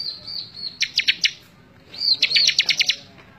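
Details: Bar-winged prinia, singing actively for a May 2017 training recording: a thin sustained high whistle runs into four or five sharp, evenly spaced chips, then the phrase repeats after a short gap.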